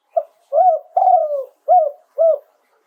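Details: Spotted dove from Thailand singing live in the 'throw two kuk' style: a short soft coo, then a long rolling, slightly falling coo and two shorter hooked coos, all low and mellow in a quiet setting.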